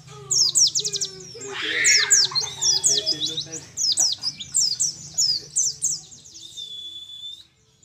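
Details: Mountain white-eye, a young wild bird from Mount Ciremai, West Java, one month into training and starting the 'nembak' material: long run of quick high chirps and downslurred whistles, with lower warbling notes mixed in early and a low background hum.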